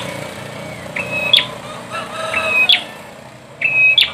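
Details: Bar-winged prinia phrases, three held thin whistles each ending in a sharp high accent, spaced over a few seconds against a noisy, humming background.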